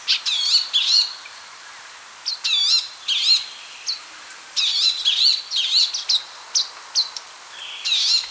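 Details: Palestine sunbird (Cinnyris osea) singing in bursts of bright, high chirps and quick sweeping trills, each phrase under a second long and separated by short pauses, with a quiet natural background.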